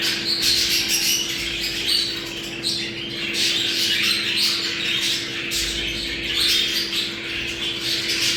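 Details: Budgerigar mating chatter: loud, dense squawking and warbling from many birds, filling the whole stretch, with a steady low hum below.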